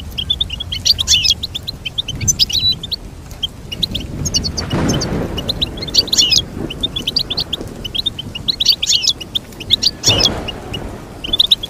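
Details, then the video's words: Twittering goldfinch song over nearly twelve seconds: dense streams of high chirps and clustered trills, with muffled low rumbling background noise swelling at times. "Teach your goldfinch to sing beautiful motivational songs"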